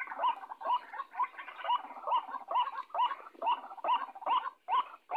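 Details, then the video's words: White-breasted waterhen decoy call used for trapping: harsh, nasal croaks repeated about twice a second in a steady rhythmic series, with no other sounds. "Suara pikat burung ruak ruak"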